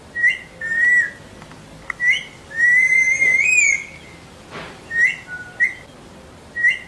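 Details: Whistling parrot in a training session, giving short whistled chirps and a drawn-out, slightly rising whistle lasting over a second, followed by more brief whistled notes and a faint rustle.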